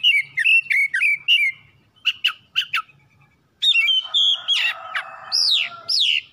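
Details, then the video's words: Caged oriental magpie-robin, used as a lure to set other birds singing: rhythmic runs of sharp whistled chirps in short bursts, a brief pause, then a denser stretch of rich, warbling whistles with rising and falling slurs. "PANCINGAN CEPAT PAGI SIANG MALAM KACER RUMAHAN CEPAT GACOR"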